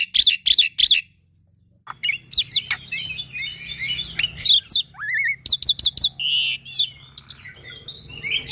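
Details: Full-content tutor song from a young, vigorously singing black-winged myna: three bright chirps, a silent gap, then a dense jumble of chattering, warbled phrases, rising whistles and rapid repeated notes.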